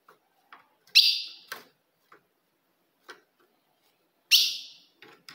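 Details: Two sharp, high chips from a female ultramarine grosbeak, used to provoke a male, about three seconds apart, with scattered light clicks and taps around them.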